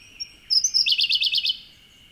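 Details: Siberian blue robin singing unseen inside a dwarf bamboo thicket at Oku-Chichibu, recorded with a Nikon Z50II camera: a few faint thin introductory notes, then a loud, rapid, high chattering trill of about ten notes lasting a second, over a steady high background hiss.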